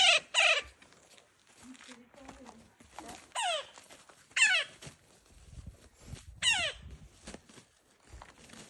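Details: Two male Magellanic woodpeckers in a territorial fight in Tierra del Fuego National Park, Patagonia, trading loud, harsh, nasal squawks that slide downward, given singly or in quick pairs every one to three seconds, with faint low murmurs in between.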